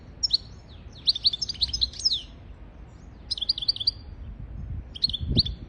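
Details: European goldfinch song used as a tutor recording for teaching goldfinches and canaries to sing: bursts of bright, rapid twittering notes with sliding whistles, given in three separate phrases over a quiet background with a faint low thump near the end.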